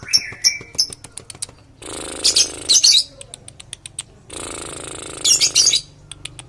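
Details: Lovebird giving long trills as a lure for other lovebirds: two extended buzzy, rattling bursts of over a second each, separated and introduced by quick high chirps.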